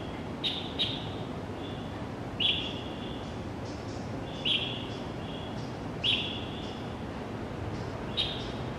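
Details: At dawn in a Zhongli District schoolyard, a pale thrush gives sharp high clipped notes, some with a short trailing whistle, spaced a second or more apart amid a constant low hum; recorded with a Canon PowerShot SX700 HS in January.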